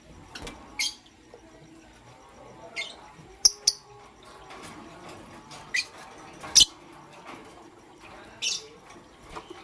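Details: In the morning, pastel gray and green lovebirds utter scattered short, shrill chirps, isolated high notes spaced irregularly one to two seconds apart, against quiet background.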